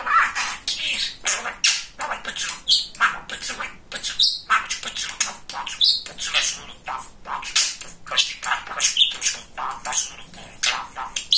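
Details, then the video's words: Talkative male pet budgerigar chattering nonstop in rapid, scratchy, high-pitched bursts of mimicked speech mixed with chirps and squawks, barely pausing. "Самый Разговорчивый Волнистый Попугайчик"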